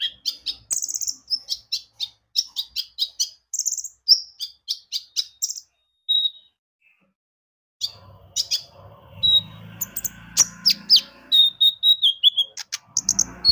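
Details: Konin, or brown-throated sunbird, singing a lure song: a fast run of sharp high chirps, a pause of silence, then denser twittering with slurred whistles and some low background rumble.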